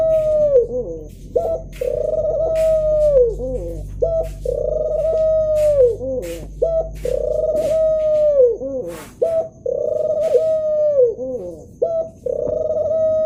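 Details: Male ring-necked dove cooing: a low, steady, drawn-out coo that ends in a wavering, falling tail, repeated in a regular rhythm about every two and a half seconds, with short sharp clicks between the phrases.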